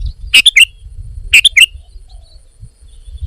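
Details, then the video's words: Sooty-headed bulbul in lively voice, delivering two short phrases of three or four quick whistled notes about one second apart, each note bending down then up. "Kicau Burung Kutilang Gacor"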